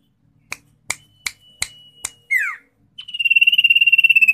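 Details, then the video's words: Common iora: a steady series of six sharp clicks over a faint thin tone, then a quick descending slurred note, then a long, loud, evenly pulsed trill. "si manja burung cipoh suara nya plong"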